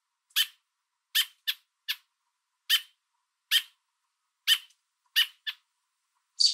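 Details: American robin with food in its beak calling to its fledgling and warning a person away, Niagara area, Canada: loud rasping chips, some in close pairs, steady series, ending with a breathy hiss.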